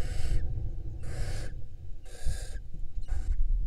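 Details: Nesting barn owls in Israel, spring 2022, female at the nest with young: four broad, wheezy hiss bursts in quick succession, the last one shorter, set against a continuous low-pitched hum.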